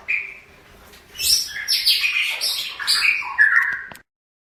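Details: Long-tailed shrike song used as a master recording for training birds: a varied run of harsh, scratchy and squeaky notes, with a clear whistled note at the start and lower buzzy notes near the end, then silence.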